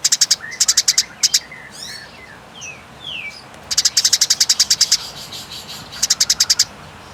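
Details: Eurasian tree sparrow fighting call, long and clear: quick trains of sharp, high chirps at the start and end, and a middle stretch of thin, falling whistled slurs.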